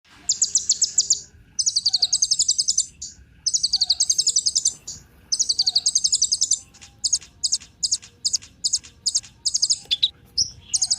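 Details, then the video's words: Sunbird (kolibri ninja) song used as a lure to get other birds singing: very high, dense rattling trills in bursts of about a second, then shorter quick notes repeated in a broken series. "Kolibri Ninja Pancingan Penggacor Burung Cocok Buat Isian Segala Burung"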